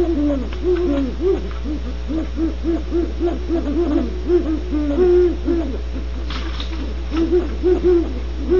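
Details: Great horned owls at Starr Ranch, California: a dense chorus of soft, low, arched hoots, several birds overlapping in rapid runs of short notes, some longer drawn hoots between, over a steady low hum.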